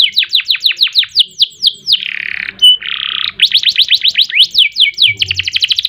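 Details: Canary singing gacor with ngerek and nembak phrases: a row of sharp falling whistles, two harsh buzzy notes split by a brief pure tone, then quickening repeated notes that end in a dense fast trill.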